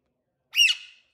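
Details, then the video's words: Alexandrine parakeet giving a single short, harsh squawk of about half a second. The squawk rises sharply, then fades in a scratchy tail, and is followed by silence. "ALEXANDRINE PARROT TALKING AND LAUGHING"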